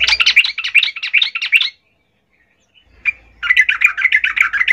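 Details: Female olive-backed shrike calling males, used as a lure: rapid harsh chattering notes repeated in a fast run, a pause of about a second, then a second chattering burst.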